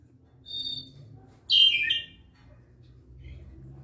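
Clay-colored thrush giving two high calls: a thin, even whistled note, then a louder, slurred note that drops in pitch. Low background hum throughout.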